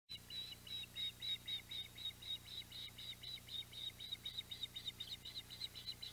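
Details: Ospreys at the Audubon Boathouse nest on 14 July 2021, on a day a mackerel was brought in: steady series of high, thin chirps repeated about four times a second over a constant low hum.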